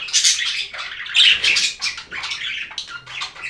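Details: Budgerigar chatter, loud and busy: harsh squawks, scratchy warbles and quick chirps run together almost without pause, with a bright burst a little after one second.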